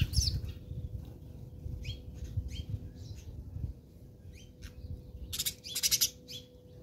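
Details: House sparrows fighting in South Africa: a run of short, sharp chirps spaced about half a second apart, followed by loud fluttering bursts, over a steady high insect drone and low rumbling background.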